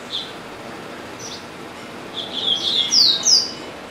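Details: Double-collared seedeater kept in a cage at home, known to sing all day; a few isolated high notes, then a rising burst of fast whistled sweeps and trills near the end.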